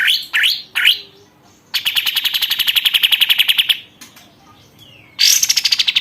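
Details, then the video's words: Caged sooty-headed bulbul after one month of keeping, singing actively: three short upswept whistled notes, then a long fast buzzy trill of evenly repeated notes lasting two seconds, and a final bright rapid burst. "BURUNG KAPAS TEMBAK GACOR"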